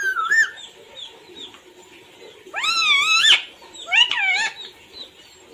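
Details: Indoor pet parrot, known for saying "mummy papa koun aaya hai": after a faint squawk and a quiet pause, it gives a long, loud, strained voice-like phrase with wavering pitch, then a shorter rising utterance.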